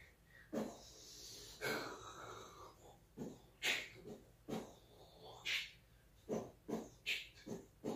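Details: Parrot doing beatbox mimicry: a quiet run of sharp percussive bursts and breathy hisses, repeated roughly every half second to second in an uneven drum-like rhythm, with short hoarse wheezing sounds between beats.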